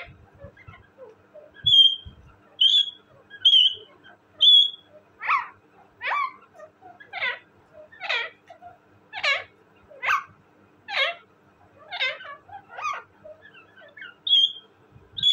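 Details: Pet talking parrot: a few clear whistled notes near the start and end, with a run of short, harsh, chattering syllables repeated roughly once a second in between, indoors with little background noise.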